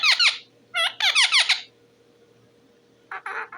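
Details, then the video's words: Talking parrot, possibly an Indian ringneck, produces two bursts of bright squeaky harmonic notes, then a pause and a softer rasping pair near the end, in a quiet room. "talking parrot bird"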